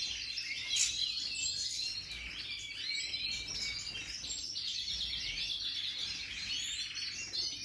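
European goldfinches twitter in a continuous, bright, tinkling stream of high chirps and trills, several birds overlapping without pause over faint background hiss.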